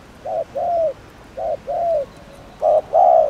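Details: Spotted dove cooing to provoke other doves: three short-long coo pairs, soft and hollow, the final pair louder and closer.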